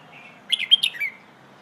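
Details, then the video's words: Red-whiskered bulbul in the Pleng Ho song style used for training young birds: one quick phrase of about four loud, bubbly whistled notes ending in a slurred, falling tail, after a faint steady whistle. "เพลงโห่ เสียงฝึกร้องนกกรงหัวจุก"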